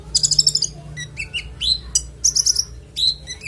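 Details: Konin, a songbird used to teach other songbirds, giving rich clear phrases: a fast high trill, then rising and falling slurred whistles and a short rapid rattle, each phrase separated by short gaps.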